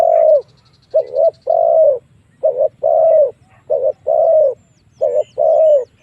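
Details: Lure call of a spotted dove meant to pull wild doves in to fight. Clear low coos, a clipped note followed by a longer falling one, repeat about every 1.3 seconds. A brief high chirping rattle and a low hum are also heard.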